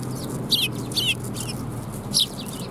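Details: At a Tenmangu shrine on 7 January 2021, sparrows arriving for food give three distinct high chirps that slide downward, spaced about half a second to a second apart, against a low steady rumble.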